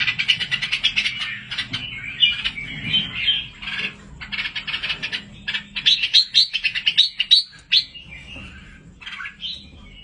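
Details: Red-whiskered bulbul chicks in an aviary: bursts of high, sharp chirps and short squeaky notes, some rising, clustered in quick runs with brief pauses, plus soft wing flutters and a low background hum.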